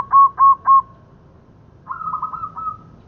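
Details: Local zebra dove calling for use as a trapping lure: three loud, rounded coo notes evenly spaced, a pause, then a softer rapid rolling phrase that trails off, over faint low hum.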